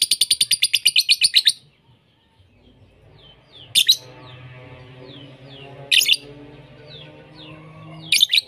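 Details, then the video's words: Lovebird from a mixed training lure recording: a quick high rattling trill for a second and a half, then quiet with a low hum, broken by three short harsh squawk bursts spaced about two seconds apart. "Masteran Pemikat lovebird - untuk semua jenis Lovebird"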